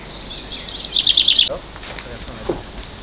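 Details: Common chaffinch singing at Landes de Locarn, Brittany, France, amid heath, forest and rocks: one bright, quick phrase of high descending notes that speeds up and ends abruptly; a faint human voice follows.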